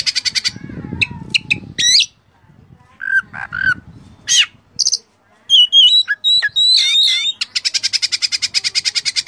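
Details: Oriental magpie-robin (kacer) song full of mimicked phrases: varied whistled notes and sharp chirps, a brief low rustling in the first seconds, then a fast run of twisting whistles ending in a steady series of quick repeated clicking chirps.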